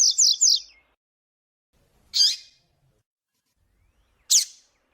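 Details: Double-collared seedeater, with a female calling to stimulate males: the end of a short rapid song burst followed by two separate sharp, piercing high calls about two seconds apart.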